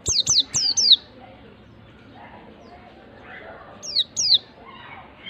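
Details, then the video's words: White-eye lure for a bird slow to sing: four quick, high, descending whistles at the start, sharp clicks, a long quiet stretch, then two more falling whistled notes near the end. "PANCINGAN PLECI MALAS BUNYI pleci malas bunyi langsung ngalas emosi"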